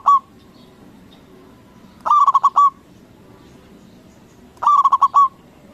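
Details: Zebra dove of local stock with a big voice, calling to draw replies from other doves; a burst of rapid cooing notes closing with a drawn-out coo recurs twice after a faint tail, steady low hum beneath.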